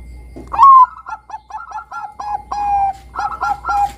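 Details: Bangkok perkutut in lively song, intended to get juvenile doves singing: a loud rising opening note, then a steady chain of short staccato coos with a longer drawn note midway and quicker coos at the end.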